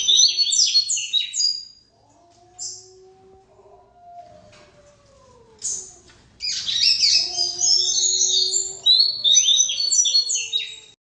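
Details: Rusty-collared seedeater singing rapid, scratchy, warbling phrases of high twittering notes, broken by a quiet gap, with a long, low, steady whistled tone sounding underneath.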